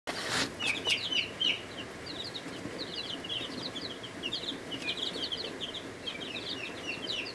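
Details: Chicks in their first week of life in a brooder, a mix of Ameraucana, Buff Orpington, Rhode Island Red, Barred Plymouth Rock and Black Australorp, give many overlapping high, short peeps over steady background hiss.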